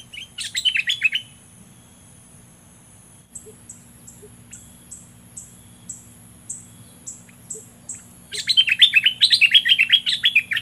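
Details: Olive-winged bulbul decoy bird in southern Thailand, kept to lure rivals: bursts of bubbly, chortling notes open and close the stretch, while a series of thin, high descending whistles from another bird runs through the quiet middle.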